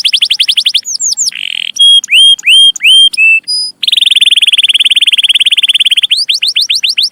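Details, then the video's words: Varied canary song for training young birds: fast falling sweeps, a buzzy burst, a series of separate clear whistles, a long steady rolling trill, then quick sweeps again. "Kenari Gacor Cuit Cuit Panjang || sangat cocok buat masteran burung kenari paud"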